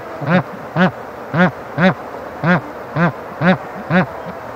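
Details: Bar-headed goose giving a steady series of eight nasal, harmonic honks, each a short rising-falling note repeated roughly every half second, with faint background hiss.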